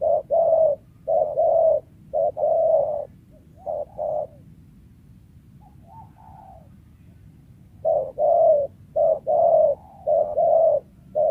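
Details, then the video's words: Spotted dove in the wild, its call ideal for lure trapping. Runs of deep short and long coos, a quiet gap with a faint distant coo, then cooing resumes loudly and with a stuttering rhythm. "TEKUKUR LIAR SUARA IDAMAN PEMIKAT"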